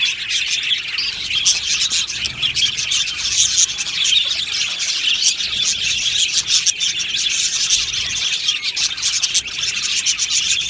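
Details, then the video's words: Australian budgies in an aviary chirp and chatter continuously, a thick chorus of high twittering notes from many birds at once. "Australian Budgie singing birds video | Beautiful Budgie aviary chirping sounds"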